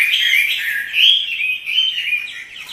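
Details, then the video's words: Chinese hwamei, a kept cage bird described as singing energetically and dancing, gives a loud, varied song of slurred whistled phrases, sweeping up and down, in fast continuous runs. "Burung wambi (hwamei) gacor menari"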